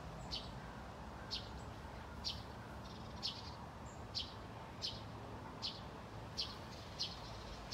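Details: Two Eurasian tree sparrows call from shrubbery in Haga, Sweden, on 24 August 2021, giving short, dry chirps roughly every second over a low background rumble.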